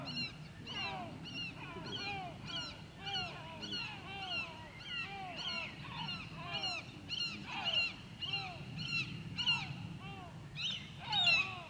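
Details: At Grönvik, Ornö, on 16 July 2024, a white-tailed eagle gives long runs of sharp, arched yelps, bunched into irregular bursts over about twelve seconds, with faint low rumble beneath.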